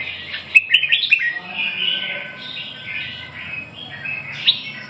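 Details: Red-whiskered bulbul singing a run of bright, warbled whistles with quick chirpy notes near the start, flowing into wavering rising and falling phrases.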